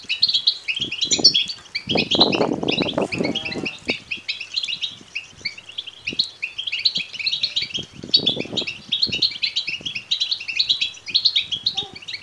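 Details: A natural recording of European goldfinch chicks begging: dense, shrill, overlapping chirps throughout, with heavy rustling and bumping from about two to four seconds and again near eight seconds.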